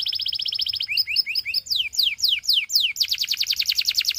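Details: Singing Russian canary, said to seduce other canaries, runs a rapid rolling trill, then short paired chirps, a few slow loud downslurred whistles, and finally a quick rattling series of sweeps.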